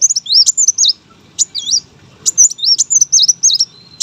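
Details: Brown-throated sunbird, a contest bird, giving energetic master song: bright, high, wavering whistles that swoop down and back up, packed into quick phrases broken by short silences.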